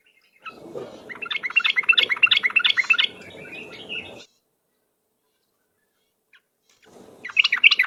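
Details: Rapid ropel-style lure song of a yellow-vented bulbul: a three-second run of lively, bubbly notes that stops abruptly and resumes after a pause of about two seconds.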